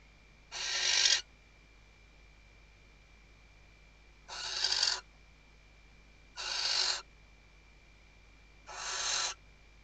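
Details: Nesting female Western barn owl, Riet Vell reserve in Spain's Ebro Delta, 2023 season, calls to the male while stuffing the nest: four rasping hissed shrieks, each roughly half a second, spaced two to three seconds apart over a faint steady hum.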